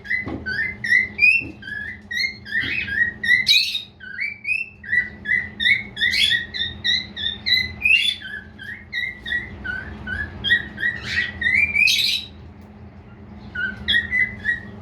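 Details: A male cockatiel (Nymphicus hollandicus) whistles a rapid run of bright, warbling notes with occasional sharp upward chirps.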